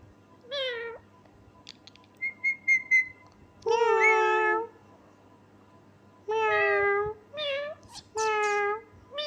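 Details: Pet parrot imitating a cat; clear, nasal meow-like calls, some rising then falling, others flat and drawn out, come in bursts with short pauses, plus a few brief higher chirps between them.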